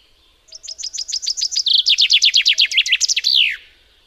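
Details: Common chaffinch singing one full song: a run of about eight sharp, downward-slurred notes, then a faster, louder series of chipping notes, ending in a rolling, descending flourish, lasting about three seconds in a quiet setting.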